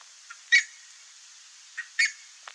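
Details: Buff-necked ibis pair foraging together and calling: two short, harsh honking notes about one and a half seconds apart, with fainter brief calls between them over a steady high hiss.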